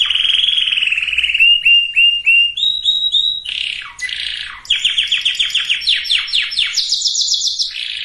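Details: Singing canary, used to get males and females ready for breeding. Steady whistled notes step upward in short repeated syllables, then a buzzy glide and rapid trilled sweeps before a high sustained note.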